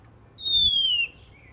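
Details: Oriental magpie-robin singing in the morning, a song said to prompt other magpie-robins to join in; one long clear whistle, high and slowly falling, lasting about half a second, over a quiet low hum.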